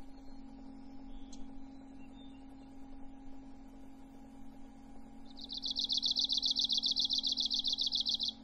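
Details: Five seconds of near quiet with one faint short chirp, then an Arctic warbler bursts into a quick, even, high-pitched buzzy trill lasting about three seconds over a steady low hum.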